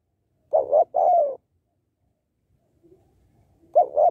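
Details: Calling female spotted dove, a sound used to excite males: one full phrase of two brief coos and a longer sliding coo, a pause, then the start of another double coo.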